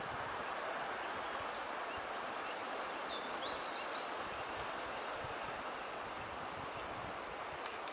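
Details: A Eurasian wren hidden in grass gives high, dry trills and rattles, several quick bursts in a row, over a steady wash of wind and rustling.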